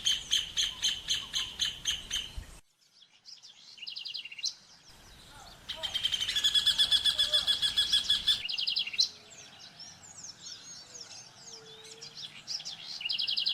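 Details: Rufous hornero song in two bursts of rapid, evenly spaced ringing notes about four per second, separated by a quiet gap, followed by a jumble of varied chirps and whistles from other birds.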